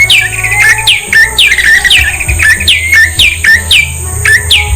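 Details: Repeated descending whistles from a prinia, called prenjak locally, with types such as lumut and cekclek listed. Each note sweeps down and trails into a short twitter, about two per second, over constant tonal hum and low rumble.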